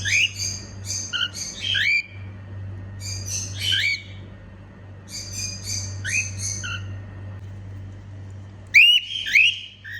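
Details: Singing female cockatiel, a happy pet bird, delivering clusters of quick upswept chirps roughly every two seconds, ending in a louder shrill double whistle, faint low hum behind.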